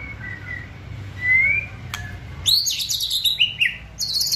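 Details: Murai batu gacor (white-rumped shama) meant to trigger fast singing: soft faint whistles over low background rumble, a sharp click, then loud high rippling phrases sliding downward and a closing high trill.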